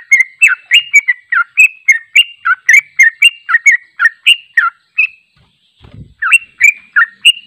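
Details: Unedited long 'ropel panjang' song of a sooty-headed bulbul (trucuk), used to train other bulbuls: a rapid, choppy series of bright chirps, a brief gap with a soft low thump, then the chirping resumes.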